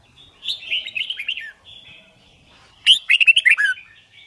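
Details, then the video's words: Red-whiskered bulbul singing a competition song meant to teach birds to learn song quickly; a rippling warbled phrase, a quiet gap, then a sharp burst of fast bubbling notes ending in a falling slur. "Chào Mào Hót Đấu"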